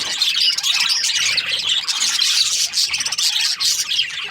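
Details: A group of Australian budgies twittering at once, with quick high chirps and rolling warbled notes piling on top of one another.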